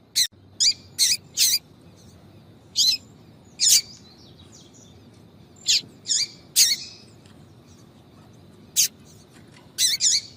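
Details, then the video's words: Female yellow-bellied seedeater with its 'tui tui' call, used to stir up males: a quick run of four high chirps opens, then scattered sharp single and double notes with pauses between. "Piado de fêmea de papa capim para Foguear Papa capim tui tui"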